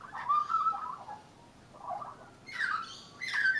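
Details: Leucistic young Australian magpie singing from a railing: soft, mellow warbled phrases, then two brighter, louder chortling notes near the end.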